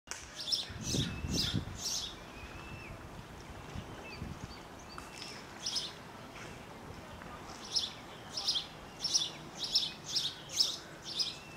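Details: Eaglet walking around its nest at Saxe Point Park, 15 June 2013, screeping softly in thin, high chittering bursts, about a dozen short notes near the end, over a low murmur, possibly voices.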